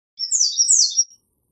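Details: American redstart giving a brief, high jumbled phrase of thin, slurred notes lasting about a second, ending with a short tail note, with no other sounds.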